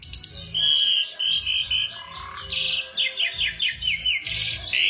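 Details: Asian pied starling singing energetically: steady high whistled notes, a harsh buzzy burst, then a quick series of repeated short chirps and a closing whistle, all in a busy unbroken stream.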